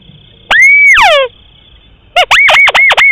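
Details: Crake call used as a hunting lure: a loud whistle rises and holds level, then slides down in a harmonic-rich slur. A rapid burst of similar swooping whistles follows. A steady faint high tone runs underneath.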